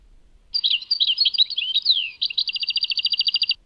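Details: Goldfinch song in the Tadmait style: a second and a half of mixed chirps and a descending slurred whistle, followed by a steady rapid trill of about twenty clipped repeated notes; clean, quiet background.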